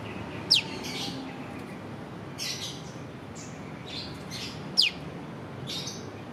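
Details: Prenjak lumut prinia uttering piw calls, two sharp downward-sweeping notes roughly four seconds apart, with quieter high buzzy bursts in between over a low constant hiss.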